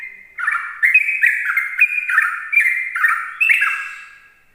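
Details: Morning ropel song of a sooty-headed bulbul, meant to draw in other bulbuls: an unbroken chatter of gurgling, slurred notes, each dipping in pitch, about two to three a second against a silent background.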